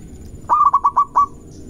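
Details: Local zebra dove in full voice, a lure song meant to provoke rivals into singing: one phrase of six throaty, pulsed coos at an even low pitch, the first slightly longer, spread over under a second.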